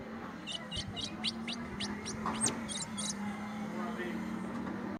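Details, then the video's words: An ultramarine grosbeak owned by a keeper sings a rapid series of short, high notes, some sliding downward, over a low steady hum of background noise. "Azulão Trovão cantando"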